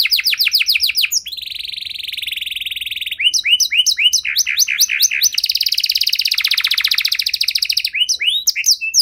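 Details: Canary singing long, varied tours to provoke silent canaries into song: curved whistled notes, a flat buzzy roll, separate looping chirps, a loud dense trill, and final swooping whistles.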